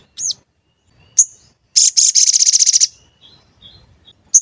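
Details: Sooty-headed bulbul lure song played to make birds sing and grow agitated. A looping whistled note and a sharp chirp lead into a quick, rattling run of about a dozen high chirps, then a final chirp.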